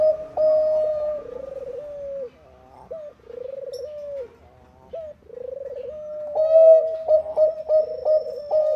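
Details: Zebra dove of the Bangkok kind singing lively, meant to set other doves singing: repeated phrases of a hooked note then a rolling purred coo, ending in a loud run of quick coo notes.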